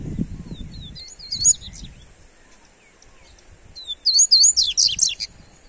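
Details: Rusty-collared seedeater warming up its song: short high twittering phrases and slurred notes in two bursts separated by a quiet gap, with low rumbling noise at the start.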